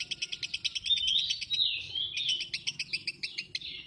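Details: Lovebird giving rapid high chirps, pulsed about eight times a second, merging into a continuous warbling trill, over a low background rumble.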